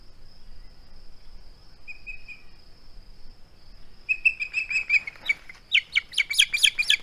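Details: Male osprey on its nest, filmed by a live nest camera on 21 August 2020, unwilling to give up a flounder; after a quiet start, loud high chirping whistles burst out in quick runs, over a steady high insect-like whine.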